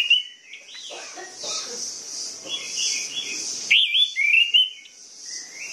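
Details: Orange-headed thrush singing to trigger idle birds, opening with a whistled note, then a stretch of soft mixed phrases before a loud rising whistled series and trailing warbles.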